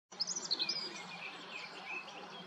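Black redstart giving a quick burst of thin, high chirps near the start, then fainter scratchy notes over a steady hiss of background noise.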